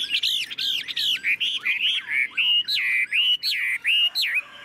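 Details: Caged Chinese hwamei singing with fanned tail: loud, clear slurred whistles, each swooping down then up, repeated in a steady series about five times every two seconds.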